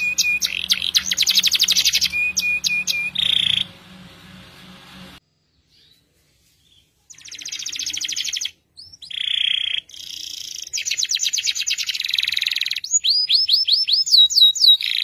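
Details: A canary, recorded as a tutor song for training other birds, sings long, fast rolling trills and bright chopped notes, about two per second, broken by a short silence; a faint low hum runs under the opening.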